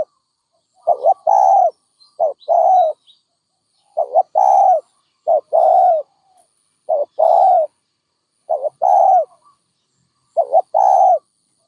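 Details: Series of mellow dove coos across the recording, each phrase a clipped double note then a longer held coo, repeated about every one to two seconds.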